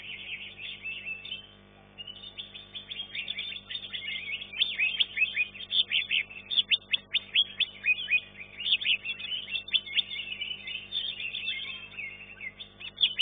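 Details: Green leafbird in a bird singing contest, winner of third place in class 1, pouring out a long, intense burst of rapid sharp chirps and descending whistled strokes after a quieter start.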